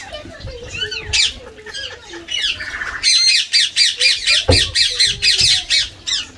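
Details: Indian green ringneck parakeet kept as a pet, playing with water: scattered squeaky notes and a nasal call build into a loud series of rapid, harsh screeching squawks repeated roughly twice a second.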